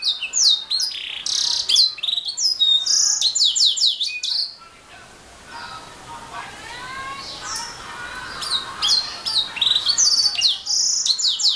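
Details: Canary pouring out a dense, rapid series of high chirps and sweeping whistles, pausing briefly mid-recording before resuming with more trilled, twittering phrases.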